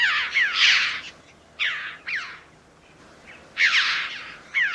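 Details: Red-billed Chough, an uncommon resident seen in flocks all year near breeding sites, giving loud, shrill, scratchy calls with falling slurred notes, some in quick doublets, about six bursts in under five seconds.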